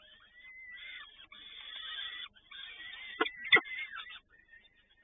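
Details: Peregrine falcon in Toruń, 7 May 2019, late afternoon, as both parents feed: a thin rising whistle, then grating scratchy calls and two sharp knocks, fading to quiet at the end.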